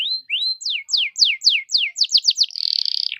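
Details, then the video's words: Canary lure song: two rising whistles, then evenly spaced loud descending whistled notes that quicken toward the end and flow into a fast buzzy trill, used to get other canaries singing. "PUTAR SEKALI DI JAMIN LANGSUNG NGEREK EMOSI🔴PANCINGAN KENARI GACOR"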